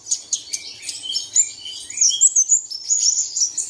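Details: Birdsong used as a lure to start caged birds singing early in the morning, Dong Nai, Vietnam: rapid high chirps and twittered phrases, with a few falling whistled notes, busy and unbroken.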